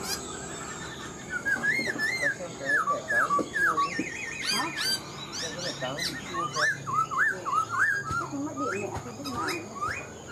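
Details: Caged Black-throated laughingthrush, an old wild-caught bird, pouring out a long stream of quick bouncing whistles and trills, with a rapid quavering passage midway and human voices in the background.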